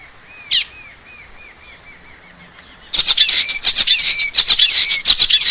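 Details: A sharp single note and a row of soft looping chirps, then a wild common waxbill in forest launches into over two seconds of rapid, grating, buzzy song, with a thin high whine throughout.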